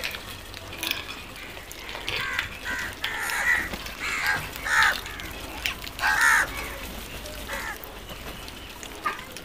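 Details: Crows giving scattered hoarse caws, a few louder ones spaced about a second apart, over a noisy outdoor background with clicking sounds.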